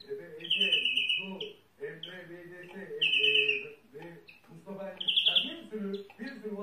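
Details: A European greenfinch gives long nasal buzzing wheezes roughly every two and a half seconds, between them a low harmonic babble like a person talking.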